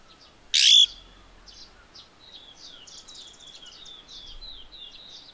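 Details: Slaty-headed parakeet perched on a tall sunflower in soft morning light, feeding on its seeds: one loud, harsh, shrill call bursts out near the start, followed by faint high twittering and chirps in the background.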